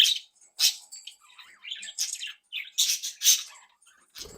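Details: Home-bred pet budgerigars chatter in scratchy, squeaky warbles and sharp chirps, an active and playful flock, ending with a knock.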